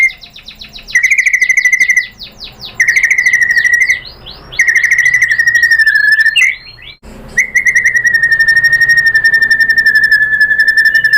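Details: White-rumped shama, a female calling the male in a recording meant to bait a reply: long rapid trills of steady pulsed notes, a fluttering series of slurred notes, then another sustained fast trill.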